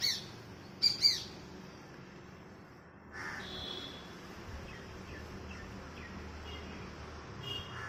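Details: A female Shikra, perched on a neem tree in the morning, gives a pair of sharp, high, metallic notes in quick succession, then fainter calls follow over a steady outdoor hiss.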